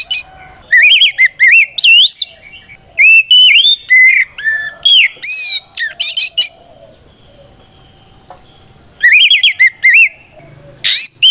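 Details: White-rumped shama in full fighting song meant to provoke rival birds into answering; loud whistled phrases mixing slurred rising notes and sharp high trills in bursts, with pauses between phrase groups.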